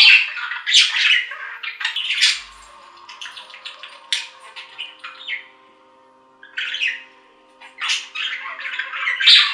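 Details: Budgerigar chatter indoors: clipped squawks and thin buzzy notes in loose clusters, a long lull in the middle, then renewed harsh warbling toward the end.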